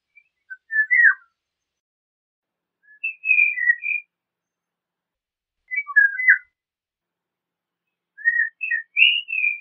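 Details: Eurasian golden oriole singing short, rich, fluting whistled phrases, each lasting under a second and repeated about every two and a half seconds, against complete silence between.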